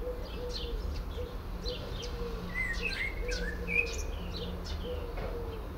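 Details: A blackbird sings in a Port Orford cedar as its companion listens: scattered high twittering notes, then mellow whistled slurs in the middle, over a repeated series of low hooting tones.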